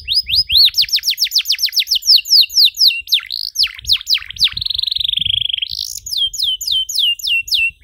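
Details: Canary in long, richly varied song as a model for young canaries: rapid arching whistles, swooping notes, a sustained buzzy trill, then crisp repeated descending notes.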